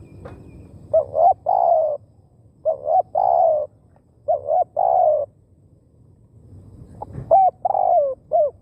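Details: Spotted dove kept as a decoy to attract wild birds, cooing four times in a row: each phrase has two quick short notes and a longer low hollow coo, with a brief soft knock near the end.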